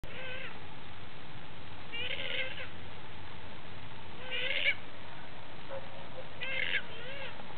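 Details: Wild free-roaming pukeko at Mount Tutu Eco-Sanctuary, New Zealand, gives four nasal, meow-like squawks about every two seconds, each bending up then down, over low rumbling wind.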